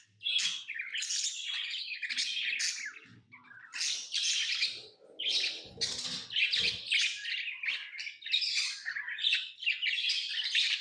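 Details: Pet lovebirds chirping, a tame parrot kept indoors; harsh, buzzy broadband chirps in dense overlapping bursts, steady chatter for about eleven seconds with a brief low rustle midway.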